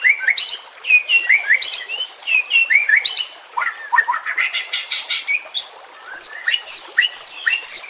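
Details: White-rumped shama singing, used for training and luring: dense, rapid song of bright whistled slurs and sharp chattering notes in fast bursts, phrases repeated with short gaps, high-pitched throughout.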